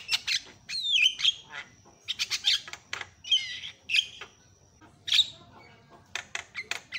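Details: Loud Javan myna calls used to make other mynas call; twisting whistled notes and scratchy squawks come in spaced clusters, separated by brief quiet gaps, with a steady thin high tone behind.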